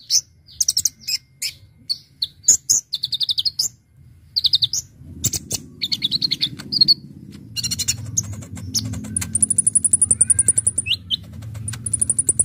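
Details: Actively singing brown-throated sunbird with varied song used to lure birds: high sharp chirps and short trills early, then long thin high trills over a steady low mechanical hum.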